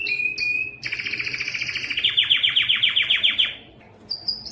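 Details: Yellow canary singing: a steady whistled note, then a high sustained tone over a fast rattling trill of descending notes that speed up and fade, followed by a brief pause and short high whistles.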